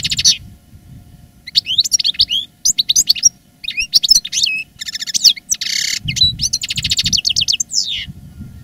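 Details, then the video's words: Caged veteran European goldfinch, a master singer strong in song after its moult, delivering a long varied twittering song: quick liquid chirps, rattling buzzy trills and sweeping whistles, nearly continuous, with faint low hum. "Canto del jilguero "el arrugao""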